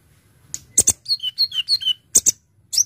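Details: Singing konin (brown-throated sunbird), full 'isian' song used to attract birds: sharp high clicks, then a run of clear whistled notes sliding downward in pairs, then more sharp chips.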